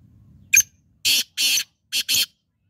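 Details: Black francolin giving its harsh, rasping call: a brief sharp opening note, then two long scratchy notes and a final short-long pair, all loud and grating, with faint low rumble before the first note.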